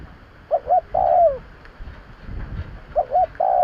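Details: Lure call of a spotted dove: two short coos then a long falling coo, the phrase starting again about two and a half seconds later, over soft low rumble.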